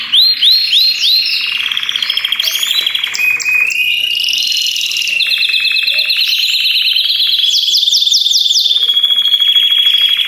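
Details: Several Belgian canaries singing at the same time, a chorus meant to stimulate other canaries to sing; high rapid trills, rolling notes and falling whistled sweeps overlap continuously, with a sustained rattling roll through the middle.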